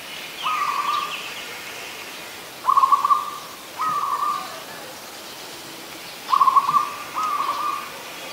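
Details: Five short, even trilled coos spaced a second or two apart from an adult zebra dove, Ubon Ratchathani, Thailand, 24 December 2020, over a soft hissing background.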